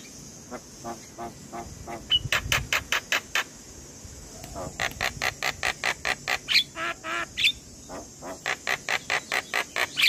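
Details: Javan myna in the morning, a lure recording meant to spur young mynas into singing: rapid harsh rasping notes repeated in runs, with a few brief whistles and a steady high hiss behind.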